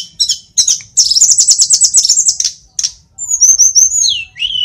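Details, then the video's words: Mountain sulingan, or tledekan, an Indonesian flycatcher, in lively song: high chips, a long fast buzzy trill, a pause, then sweet descending whistles ending in a clear level note. "Sulingan gunung / Tledekan gacor"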